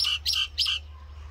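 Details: Common myna song, three loud, harsh, squeaky chirps in quick succession, each a burst of bright overtones, then quiet.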